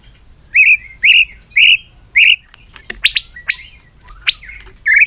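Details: White-rumped shama singing a long-strand song in many voices while flicking its tail on a perch: four matching whistled notes about half a second apart, then a quicker run of varied sharp chirps and a final rising note.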